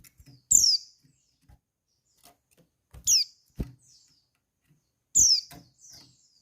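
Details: Female white-eye calling to arouse breeding urge in males and prompt them to answer: thin, very high downslurred notes, one about every two and a half seconds, with soft low knocks and taps between them.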